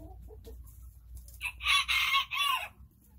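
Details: Chickens enjoying their day, described as tiny birds, giving one loud, high, harmonic call lasting about a second after soft low background rumble.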